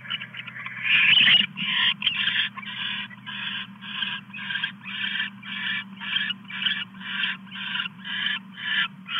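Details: Nighttime owl at 2:34 AM as the male delivers a mouse to the female; rasping hissed screeches repeated about twice a second in a steady series, with a constant low background hum.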